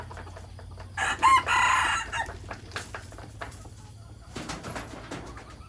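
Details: Rooster crowing in the morning, one loud, hoarse crow about a second long, then quieter rustling, scattered clucks and a low hum.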